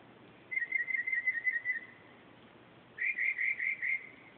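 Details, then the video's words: Northern mockingbird singing at night, 2:30 am, recorded on a phone: two bursts of a fast-repeated whistled note, about seven notes then five, each burst steady in pitch, separated by a pause of about a second. "Mockingbird at 2:30 am"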